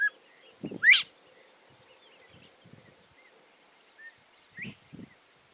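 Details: Morning song of a male northern bobwhite: one loud, clear whistle sliding steeply upward, a fainter rising whistle about four seconds later, with scattered low thumps and rustles and a faint steady hum.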